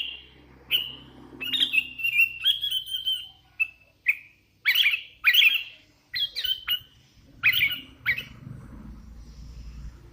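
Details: Hand-reared Sooty-headed Bulbul singing energetically with a stream of harsher, squawky whistled phrases in rapid succession over steady low background hum and some indoor noise.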